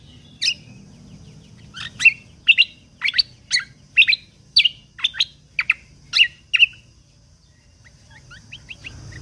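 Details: Lesser green leafbird, a training recording for songbird contest birds in full "tembakan" style: a run of about a dozen sharp, loud, chirped notes, each a quick downward flick, spaced roughly half a second apart, then softer twitters.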